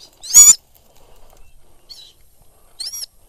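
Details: A hunting Sulawesi goshawk in falconry gives one loud, piercing shriek followed by two fainter, thinner squeals, with near silence between them.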